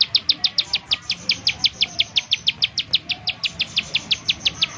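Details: Sharp, evenly spaced high ticking notes from a bar-winged prinia, used to coax other prinias into singing, pouring out at almost three per second over quiet background.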